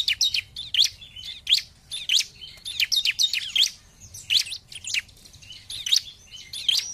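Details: Bar-winged prinia singing energetically, 'gacor' style: jumbled clusters of shrill, high chirps and slurred notes coming in uneven bursts, with brief gaps between phrases.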